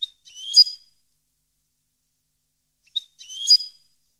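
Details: Goldfinch, parva subspecies, recorded 2015: two short, complex, twittering phrases mixing high whistles and lower buzzy notes, nearly three seconds apart, each starting with a brief chip.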